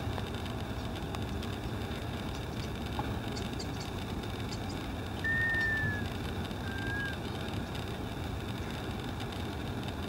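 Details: Black scoter displaying to greater scaup at Richmond Marina, Richmond, California, on 26 November 2012. Two thin, slightly falling whistles come midway, soft against a steady, heavy low rumble of background noise.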